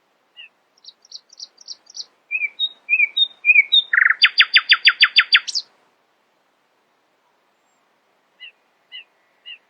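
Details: Nightingale singing in the early morning: thin high notes and slurred chirps, then a loud, rapid run of about ten hard repeated notes ending in a rising whistle; otherwise quiet.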